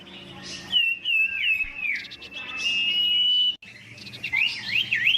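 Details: Huyt Co bird in fired-up competitive song as a decoy; sweet high whistles, a long sustained note, then quick rising and falling looping phrases.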